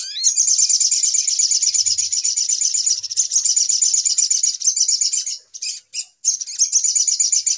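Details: High, fast chattering trill of the little spiderhunter, used as a trapping lure, running almost without pause before two short breaks near the end.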